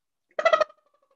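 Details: Mourning Dove wing whistle as a shy bird is flushed in a North Texas backyard, where it is a year-round resident: a quick burst of about four fluttering, whistled pulses, over in under half a second, with a faint ringing echo.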